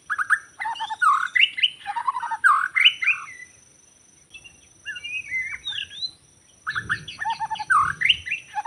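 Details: Wild white-rumped shama in forest, recorded during bird trapping, singing bursts of rich warbled and whistled phrases with rolling trills, separated by short silent gaps.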